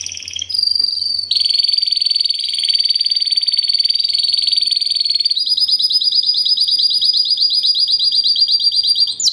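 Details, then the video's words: Timbrado Español canary, 2013 bird singing classic timbrado: long steady metallic roll held for several seconds, then switching to a faster, higher pulsed trill, strong and continuous throughout. "Timbrado classico FOE 2013"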